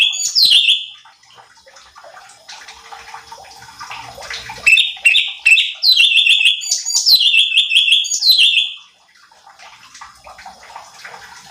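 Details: Cucak cungkok bulbul, a recording used to provoke other birds into singing: sharp whistled notes tumbling down into fluttering high trills, in bursts between spells of scratchy, watery background noise.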